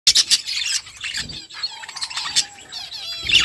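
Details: Budgerigar flock chirping while eating: dense, overlapping high warbles and scratchy chatter with brief squeaky notes, steady busy texture throughout.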